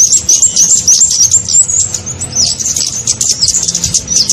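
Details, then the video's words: Kemade lure call used to attract small birds for trapping: a fast run of thin, very high, sharp chirps and short tweets, about three per second, slightly irregular, over a faint low hum. "SUARA PIKAT burung kemade"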